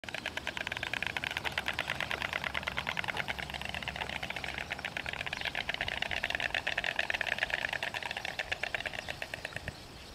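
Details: A pair of white storks greet each other with their bill-clacking display at their nest site in Extremadura, Spain: a fast, dry, wooden rattle of many strokes a second, held for about nine seconds before stopping.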